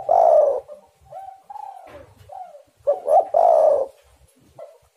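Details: A spotted dove's call, used to draw other doves into singing, opens with a long loud husky purr, then quieter wavering coos and a second stuttered loud phrase ending in another rolling purr.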